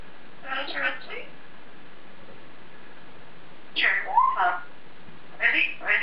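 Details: Caged African grey parrot talking to itself, with raspy speech-like mumbles and a sliding whistled note in the middle, then more chattery bursts; indoor setting.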